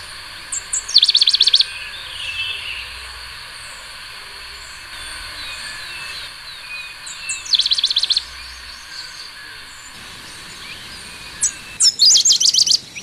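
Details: Pale-headed brushfinch singing: three short bursts of rapid, high, evenly repeated notes, spaced about five to six seconds apart, over a steady faint hiss with no other clear voices.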